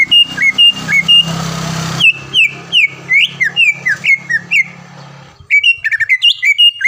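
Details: Champion caged greater green leafbird from around Palembang, Indonesia, sings short looping whistles, then a hissy pause, then a fast run of downward-slurred whistled notes and a final crisp string of chips and twirls. A low hum runs beneath.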